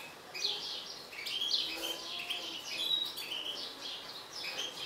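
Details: An agitated mutant European goldfinch sings a steady stream of bright, high twittering notes, with short slurred chirps strung closely together throughout.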